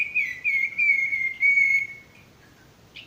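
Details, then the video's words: Male sirtu for tutoring stressed or non-singing birds: a long, clear whistled note held steady, broken by brief accents, then fading to a short chirp. "masteran burung sirtu bakalan maupun stres macet"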